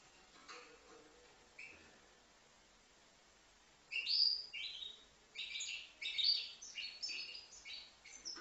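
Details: Young European goldfinch, five months old, from Livno: near-silence for about four seconds, then a burst of high, liquid twittering phrases with buzzy, bright notes tumbling in quick irregular runs until the end.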